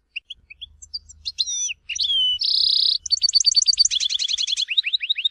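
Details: European goldfinch singing in the Tizi Ouzou regional Algerian style, used by breeders to tutor young birds: sparse high chirps build into a sustained buzzy note, then a fast run of repeated twittering notes that descend in pitch.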